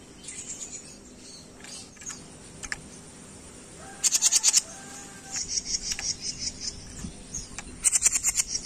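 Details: Songbird training recording of a jenggot bird: short bursts of rapid, piercing high notes, each about half a second long, with a softer chirping run between them and a low hiss behind.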